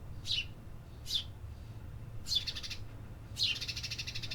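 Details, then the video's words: Birds singing in a city: four high chirps, the last two trailing into buzzy, rattling notes, against a steady low urban rumble. "Urban Birds Sound Effects"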